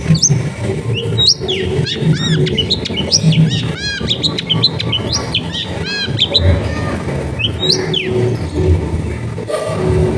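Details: Long-tailed shrike in full, lively song with sharp 'tembakan' shots, used as a lure to get silent shrikes singing, recorded at home in a crowded neighbourhood; varied arched and whistled notes tumble quickly over a busy low background hum.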